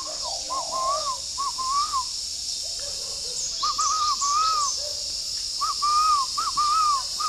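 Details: Spotted dove at a bird farm in Ba Vì, Hanoi, Vietnam, with dark neck spots, cooing in the morning: repeated mellow phrases of several rising-falling coos, over a steady high hiss.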